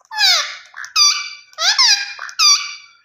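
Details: Loud, strident calls from a rose-ringed parakeet. Four drawn-out, downward-curving shrieks come at a rapid pace, with faint softer notes between them.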